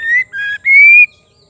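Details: One phrase of female white-rumped shama song, used to stimulate males: a loud upslurred whistle, a steady lower note, then a sustained, slowly rising whistle.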